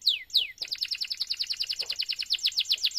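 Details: Canary singing long and vigorously, as a tutor for other canaries: two falling whistles followed by a fast, even trill of paired high and lower notes.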